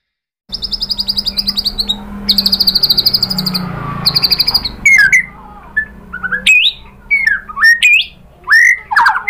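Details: Lure song of a white-rumped shama in full voice, used to make other birds reply and show their repertoire: a rapid high chattering trill in bursts, then loud varied whistled phrases, some rising, some falling, with faint hum beneath.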